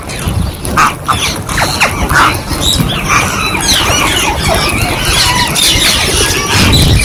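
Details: Wild rose-ringed parakeets give shrill, squealing screeches, several birds calling over one another in quick bursts, over a steady low rumble of background noise.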